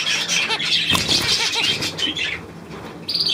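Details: Budgerigars on 9 February 2024, lively warbling of short bouncy chirps about two or three per second from one bird over flock chatter, fading after two seconds before a sudden high squeal.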